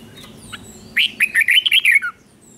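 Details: Red-whiskered bulbul, a cage bird, singing its doubled song for young birds to copy. It gives one rich phrase of about seven quick, liquid, up-and-down warbled notes, preceded by faint chirps.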